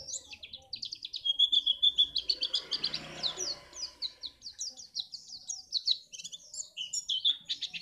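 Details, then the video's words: White-eye (pleci) song used to make caged contest birds sing: a continuous, fast chatter of high, slurred chirps about three per second, with a short sustained whistle near the second mark and a faint rumble midway. "pleci ini bisa membuat burung mu gacor"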